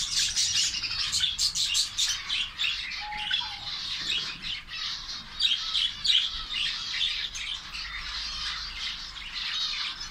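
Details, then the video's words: A dense chorus from a captive zebra finch colony in Saudi Arabia, fed egg food: many overlapping nasal, toy-trumpet beeps and chirps, high-pitched and continuous. "zebra finch colony"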